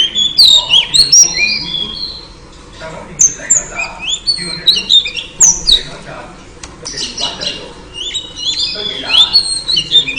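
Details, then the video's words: A female oriental magpie-robin calls to draw a male. Bursts of sharp whistles and harsh squawky notes are separated by quieter gaps of a second or two. "KICAU KACER BETINA AMPUH PANCING KACER JANTAN LANGSUNG GACOR"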